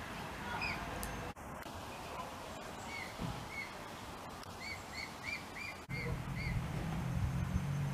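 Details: Mute swan cygnets swimming with their family call to their parents for help. They give thin, whistled peeps, each slightly arched, about three a second, over a low rumble of wind and water.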